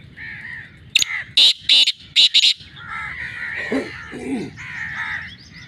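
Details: Black francolin (kala titar) call: a burst of five loud, harsh, grating notes in quick succession near the start, followed by quieter chirping from other birds.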